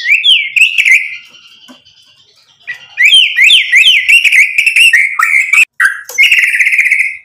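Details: White-rumped shama song used to provoke other shamas into singing: loud varied whistles, rapid rising and falling phrases, and sharp repeated notes, with a short pause before a dense burst of trills and whistles.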